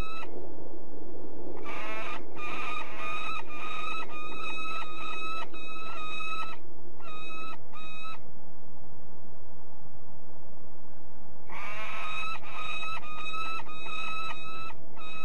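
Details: Peregrine falcon at De Mortel in the Netherlands calling in two bouts of quick, harsh, repeated notes separated by several seconds of quiet with low background rumble.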